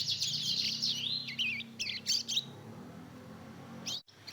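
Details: Two-month-old Mozambique canary and canary hybrid babbling its developing song: a wavering high warble followed by a few choppy chirps, then quiet with a short sharp sound near the end.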